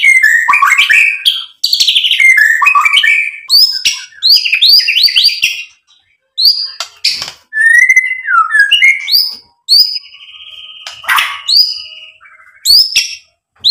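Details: White-rumped shama singing to rouse other birds: rich, rapid medley of whistles, trills and sharp chips in bursts separated by short pauses, with high slurred notes and a steady buzzy trill near the end.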